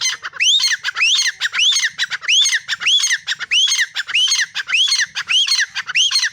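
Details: Female black francolin calling: a harsh rising squawk with a hooked upward sweep, repeated in quick succession about every 0.6 seconds, loud and steady throughout.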